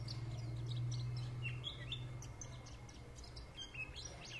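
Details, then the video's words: Lively white-eye song of quick, high, sharp chirps and slurred twitters, densest in the first half and continuing in scattered bursts, with a constant low mechanical hum beneath. "Nghe Khuyên líu lô"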